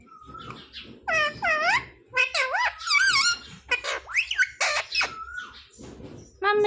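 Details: Talking pet parrot that says "mummy" and "papa" gives a varied sequence of curved, harmonic squawks and upward-sweeping whistles, some sharp and brief, over a low steady hum.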